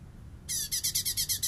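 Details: Master bessetan song of a light-vented bulbul for training songbirds: an abrupt start into rapid, rhythmic rasping pulses, around nine per second-and-a-bit, with faint descending whistles and a steady low hum behind.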